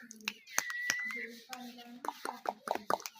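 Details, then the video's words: Indoors, an Indian ringneck (rose-ringed) parakeet talks in a hoarse, speech-like voice, with a thin rising whistle and sharp clicks between the words. "Indian Ringneck parrot Talking Natural Voice parrot sounds Tota ki awaz Mithu ki awaz"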